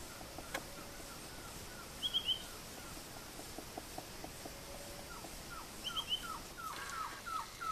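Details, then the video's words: Green-backed trogon (Trogon viridis) giving a quick run of soft, down-slurred notes late on; two brief trills of higher chirps from another bird come earlier. "Green-backed Trogon"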